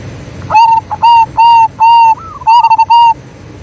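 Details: Lure song of a local zebra dove in strong singing form, meant to prompt other doves to sing: a sequence of clear, even, ringing coos, one rising slur, and a rapid stuttering burst before the closing note.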